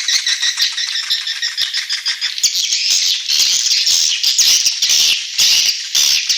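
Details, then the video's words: Lure call of swiftlets from Borneo, used to draw birds in: fast buzzy rattling twitter repeated about twice a second, becoming a denser continuous chatter after two seconds. "SUARA PANGGIL BURUNG WALET ASLI DARI ALAM"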